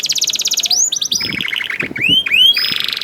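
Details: Young canary in continuous rolling song for prompting other canaries: a fast high trill, swooping notes, a lower buzzy roll and rising whistles, with faint low knocks behind.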